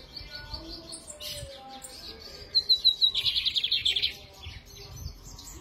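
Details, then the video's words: Lined seedeater (bigodinho) singing while held in the hand, recorded on a Sunday, 13 November: a fast, high trill of about a dozen rapid, even notes that starts with a thin whistled lead-in, over soft background chirps. "faça teu bigode cantar na mão"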